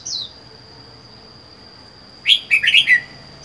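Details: Lone caged Red-whiskered bulbul, wild-caught, four months captive: one thin high note, a long pause, then a loud rapid phrase of four or five rich warbled notes, with a constant shrill whine behind.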